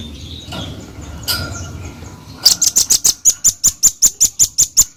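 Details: Velvet-fronted nuthatch singing actively: after a quiet start with faint background noise, a fast run of about thirteen sharp, high, piercing notes, evenly spaced, roughly five per second, lasting two and a half seconds.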